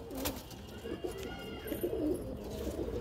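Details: Low bubbling coos from captive red desi highflyer pigeons overlap in a dense chorus, with brief sharper clicks and a faint voice in the background.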